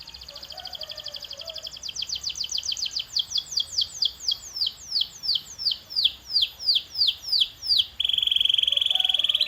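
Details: Canary training song for encouraging louder singing: an accelerating series of sharp descending whistled notes that slows into evenly spaced falling syllables, ending in a loud, dense, sustained trill.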